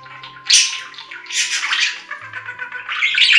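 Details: Budgie warbling heard as swelling waves of hissy, high chatter with squeaks, separated by quieter moments, over a faint low hum.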